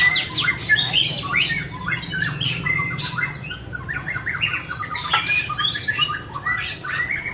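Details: White-rumped shama song of rapid sharp chirps and short whistled notes in lively bursts, with a low background hum.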